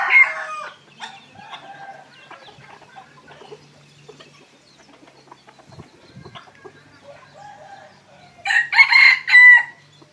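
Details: Red junglefowl kept as decoys, evening: the tail of a loud crow opens, a long stretch of low clucking and faint small-bird chatter follows, and a second harsh, segmented crow comes near the end.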